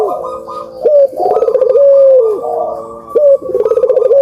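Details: Puter dove cooing as a lure for birds reluctant to call: a dense run of low purring coos with clear upward-then-falling swoops, several doves overlapping almost without pause.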